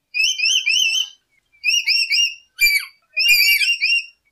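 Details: Lory song played as a lure for catching birds: four bursts of clear, wavering whistled notes, each about half a second to a second long, with bright overtones and short silent gaps between them.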